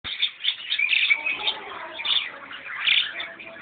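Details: White parakeet chattering: a dense, continuous stream of scratchy chirps and squawky notes with louder bursts near the start and end.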